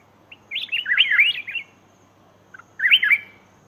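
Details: Lure recording of a black-crested bulbul for attracting wild birds: a rapid liquid warble lasting about a second, a pause, then a second shorter bout of chattering whistles.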